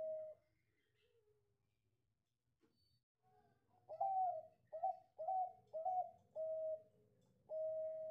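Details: Perkutut Bangkok, a zebra dove, singing in the cengkok style: a series of clear cooing notes about half a second each, several ending in a long drawn-out final coo, after a faint opening note and a quiet pause.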